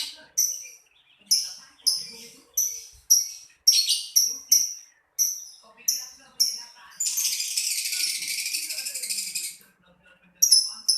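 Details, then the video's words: Lovebird giving a series of short, sharp, high-pitched chirps at roughly half-second intervals, then a continuous harsh, rapid chattering burst lasting a few seconds before the chirps resume. "LoveBirt_Bunyi suara burung"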